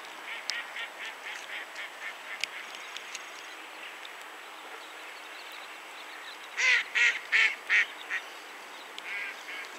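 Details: Caspian gull calling: four loud, harsh, harmonic notes in quick succession near the end, over a steady background of fainter gull-like calls and scattered clicks.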